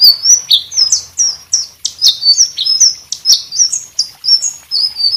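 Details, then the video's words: White-rumped shama in full, lively song, offered as a model for training other birds: a rapid continuous stream of high, sweet whistles, each note sliding downward, with sharp accents and no pause. "suara selendang biru gacor buat masteran burung lain"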